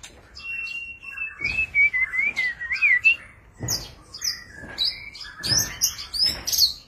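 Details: White-rumped shama display song: a long level whistle turning into a wavering, sliding warble, followed by high squeaky and chirping notes over faint thuds.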